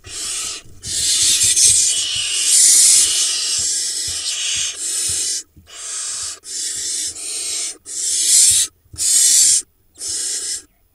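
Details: Barn owl nestlings at a nest box in the Hula Valley, Israel, on 28 June 2021, as the male brings a vole to feed one of his young. Long, harsh, hissing screeches follow each other with short breaks.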